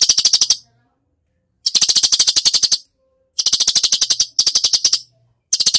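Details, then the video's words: Gacor cucak cungkok delivering full tembakan: repeated bursts of fast, dry, machine-gun-like clicking, each about a second long, broken by brief pauses. "masteran cucak cungkok gacor full tembakan"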